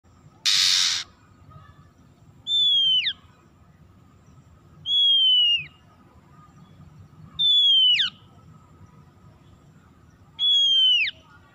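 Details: Oriental magpie-robin (kacer) lure recording used to make stressed, silent birds start singing: loud, clear whistled notes, each sliding down at its end, repeated about every two and a half seconds, after a short burst of noise at the start.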